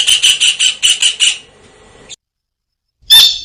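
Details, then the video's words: Vigorously calling kingfisher, tengkek udang: a fast, uneven string of about seven harsh, shrill notes that fades out, a silent gap, then one loud ringing squawk. "Suara Burung Tengkek Udang Gacor"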